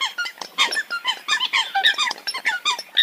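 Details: Many Eurasian coots heard together, a busy chatter of brief squeaky, nasal notes, some sliding downward, packed close with barely a pause between them.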